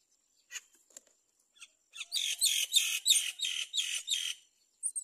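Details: Hungry Great myna chick begging for food: a rapid series of harsh, broadband raspy bursts, about three per second, between 2 and 4.5 seconds, preceded by a few brief scattered chirps and followed by a high squeak.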